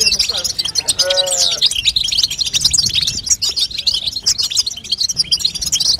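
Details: European goldfinch female calling to stimulate a young bird to sing; a continuous high, jingling twitter, with a brief lower, harmonic-rich note near the start.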